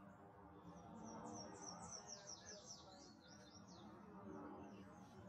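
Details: Tennessee warbler at Montrose Point, Chicago, USA, 26 May 2024, giving a rapid run of very high, thin chipping notes that quicken and stutter for about four seconds, over steady low rumble and faint voices.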